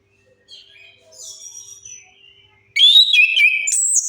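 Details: Soft, faint whistled notes from an orange-headed thrush, then a loud burst of warbled, slurred phrases ending on a high note, used as a lure to get silent birds singing.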